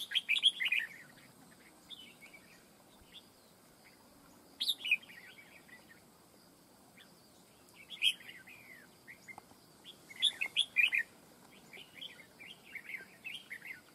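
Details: Fight-trap red-whiskered bulbul, a wild-caught bird, giving loud bursts of rich, fluty chirping phrases separated by pauses of several seconds, with soft twitters between them.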